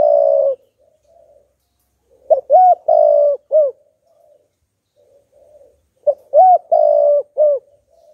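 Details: Decoy spotted dove cooing to provoke wild doves, a full song. Two low, hoarse four-note phrases about four seconds apart: a quick short note, then longer rolling coos ending in a clipped final note. Soft murmurs fill the gaps.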